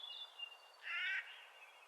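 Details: Spring call of a Clark's nutcracker: a single brief, coarse, grating note over faint high whistles from other birds in the background.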